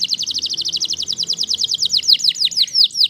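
A Waterslager canary sings a fast, rolling trill of about eight notes per second, high and liquid, slowing into longer bubbling notes near the end.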